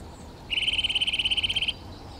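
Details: Eurasian nuthatch (Sitta europaea) producing a fast, even trill of about twenty rapid notes lasting just over a second, steady in pitch, against quiet background hiss.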